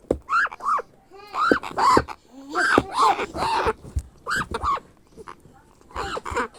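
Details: Grey parrot chick begging during hand-feeding: a rapid run of raspy, arching squawks, some doubled, with uneven pauses and faint speech in the room.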